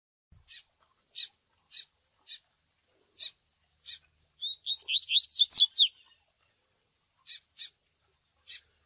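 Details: Double-collared seedeater 'tui tui' song mixed with chick peeping, made for pairing training. Spaced high clicky peeps come before and after a bright, rapid warbled phrase of swooping notes lasting over a second.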